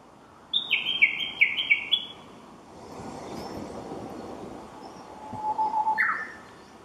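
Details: Japanese bush warbler heard singing but hidden from view, a quick run of high, stepped chirps descending in pitch, a pause over soft background rumble, then a low, drawn-out whistle swelling and leaping upward.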